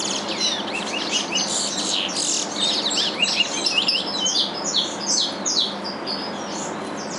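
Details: Two curiós raised in a breeder's aviary sing the Curitiba regional song their father uses. Bright chirps crowd into a fast, irregular stream of high twittering notes, about two or three per second.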